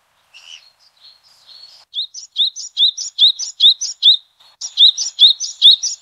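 Yellow-bellied tit gives soft high twitters, then a fast run of sharp, high rising notes about three a second, with nothing else heard.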